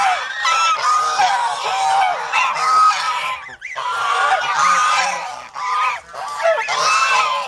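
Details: Flock of over-protective domestic geese (gangsa) kept as farm poultry in the Philippines, honking in a loud overlapping chorus; harsh nasal blasts with bright, level tones, several birds calling at once with brief gaps.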